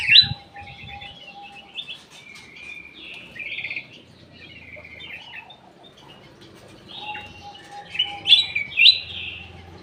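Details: Lure song of a ruby-throated bulbul (cucak emas) in an aviary: clear whistled phrases with slurred, warbling notes in two bursts separated by a pause. A faint steady hum is heard behind them.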